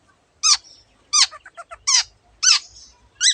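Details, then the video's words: Long-tailed shrike giving loud, harsh, descending squawk-like notes about every 0.7 seconds, with a few short soft chips between them. "cendet gacor masteran untuk burung yang susah bunyi banyak varian suara burung lainya"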